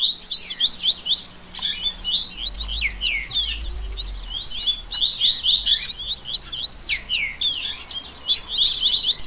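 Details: Baderna chorus of rusty-collared seedeaters, meant to work on singing and spirit: bright, clipped chirps and quick down-slurred notes stacked densely, many voices tumbling over each other in a steady high twitter, with faint low hum beneath.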